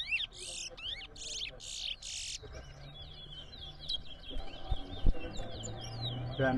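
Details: Towa towa singing during a bird singing competition at Rosignol, Berbice, Guyana: loud bursts of rapid buzzy chirps, followed by quicker twittering notes, while a man counts aloud over steady background hum.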